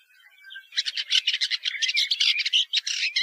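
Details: Woodchat shrike song: after a soft start, a dense, scratchy chatter of quick varied notes, harsh and jumbled, continuing steadily for over two seconds.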